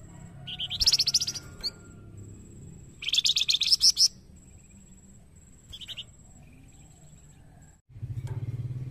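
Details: Song of a white-rumped shama, said to work well at getting other birds to sing: fast, high trilled bursts, each about a second long, separated by pauses, then a short note and a soft low rumble at the end.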